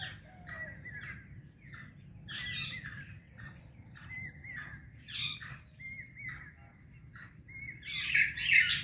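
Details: Indian ringneck and Alexandrine parrot pair chirping loudly in the morning: short whistled chirps near the same pitch, repeated irregularly, with harsher bursts around the middle and louder rough squawks at the end over a low steady hum.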